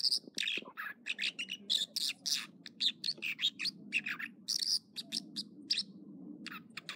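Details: Singing American dipper, morning, Echo Lake in the Trinity Alps of California: a long, rapid stream of varied high chirps, trills and whistles, with a steady low rushing sound, possibly water, beneath.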